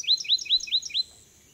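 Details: Bachman's sparrow singing in Francis Marion National Forest, Charleston County, South Carolina, on 25 June 2016, giving a quick trill of five bright, upslurred notes, about five per second, then falling silent.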